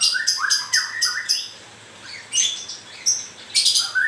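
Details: Freshly moulting white-rumped shama singing in grewek style, opening with quick rasping bursts over rising whistles, a short pause, then scattered harsh notes and a clear upslurred whistle at the end.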